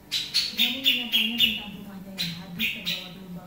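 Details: Noisy Grey-cheeked bulbul giving bright, clipped chirps, about four per second and drifting slightly lower, then a short pause before the chirping resumes over background speech.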